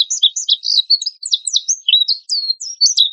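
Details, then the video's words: Continuous twittering from an Oriental white-eye used as a lure for caged birds, 'tembakan kasar' style: high jumbled whistled slurs and chirps running nearly without pause. "PANCINGAN PLECI GACOR TEMBAKAN KASAR"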